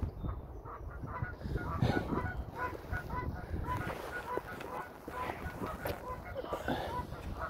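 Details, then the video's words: In a forest in London, Ontario, a Canada goose hisses at a man because her goslings are loose nearby; there are short nasal honks, several each second, over breathy hissing and low rumbling, and a man's voice briefly. "Geese Hissing at me (cause her kinderlach are loose)"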